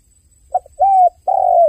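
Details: Crying dove giving a brief soft note, then two long smooth coos, the second held and gently falling, over a quiet background with a faint high-pitched hum.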